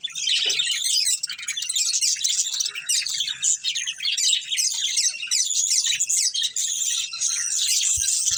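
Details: Budgerigars, a breeding pair within a family group: nonstop high twittering and warbled chirps layered densely, with scratchy chatter throughout.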